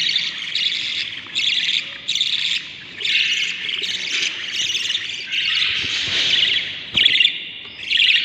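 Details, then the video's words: Budgerigar nestlings, seven chicks in a breeding nest on day 38; rhythmic rasping squawks repeated about once a second, each burst harsh and broadband, forming a steady pulsing sequence. "7 Baby Budgies from eggs to hatching - budgie breeding/ what happens inside the nest no music day 38"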